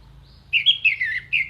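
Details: Short burst of orange-headed thrush song used to teach contest birds: fluid, clear whistles sliding up and down in a continuous warble, ending on a bright high note.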